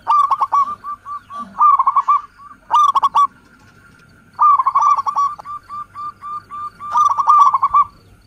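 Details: Local zebra dove song, a lure recording where birds call back and forth: repeated phrases of clipped mid-pitched notes, each closing in a fast rattling flurry, with a short pause between phrases.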